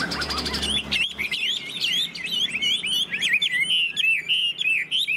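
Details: Caged Chinese hwamei, a tamed bird, delivering a rapid, sustained stream of sharp, twisting high whistles and chips, about three notes a second, loud and clear with little background.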